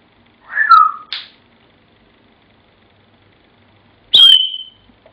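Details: African grey parrot kept as a pet, whistling the tune Pop Goes the Weasel indoors: a falling two-part whistle with a short squeak, silence, then a bright high whistle drawn out and tapering.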